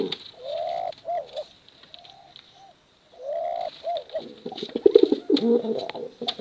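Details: Bekuran cooing of male and female contest pigeons: smooth rising-falling hooting coos in short separate phrases, a brief silence, then a louder, rougher burst of overlapping throaty coos.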